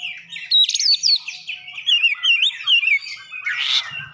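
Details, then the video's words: Oriental magpie-robin mimicking Java sparrow: wavering whistled phrases sliding up and down in a fast chattering sequence, ending in a scratchy buzzy note. "kicauan Kacer isian gelatik batu"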